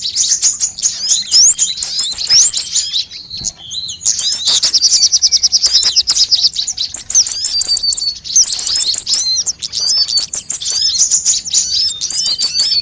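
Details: Sunbird calls played as a lure to make birds sing quickly: long run of very high, fast twittering and sharp chirp series, repeated phrases with brief pauses, continuous and busy.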